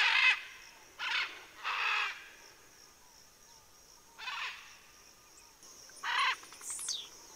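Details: Macaws cooling off in Southern California on 7 December 2023 give loud, harsh, raspy squawks, five in about seven seconds at an uneven pace, over a faint steady high hiss.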